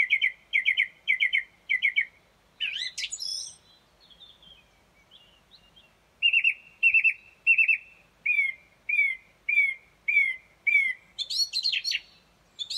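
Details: At first light, near 4.30 am, a song thrush sings outside a bedroom as it does each morning: a clipped triple note repeated four times, a shrill flourish, soft notes, then a new motif repeated about ten times before a final flourish.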